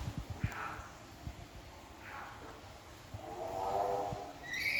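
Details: A hungry cockatoo at Taman Safari Indonesia Prigen gives harsh, rasping squawks about every two seconds, ending in a longer, lower grating cry, over low thumps and handling noise.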